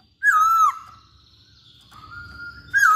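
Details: Chinese hwamei producing long, rich, sustained whistles with a slight downward bend, separated by a quieter held tone, then another loud whistled note at the end.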